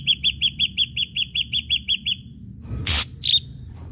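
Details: Ashy drongo song used as a lure to provoke other birds to sing: a fast series of about a dozen short, clipped high notes, each a little over a tenth of a second apart, then a sharp broadband burst and a brief upslurred note.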